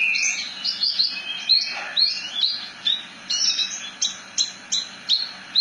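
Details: Javan bush lark (branjangan) singing a varied rolling song of high whistled and buzzy notes, many sliding downward, delivered in quick bursts roughly every half second.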